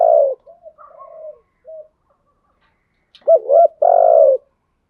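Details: Spotted dove lure cooing for training kept doves. A coo ends first, then soft low murmurs and a pause. A loud phrase follows: a double short note and a sustained mellow coo.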